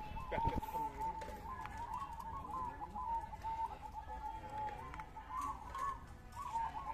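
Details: At a zebra dove contest in Ngawi, 18 September 2022, mixed session, rolling trilled coos run almost unbroken at a steady mid pitch, with brief gaps, and a loud thump opens the recording amid crowd background.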